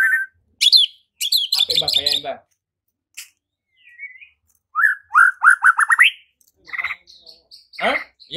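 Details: White-rumped shama provoked to sing and fight by a lure recording; rich varied song with whistled notes, a fast series of rising slurred notes, harsh buzzy chatters and high sharp notes.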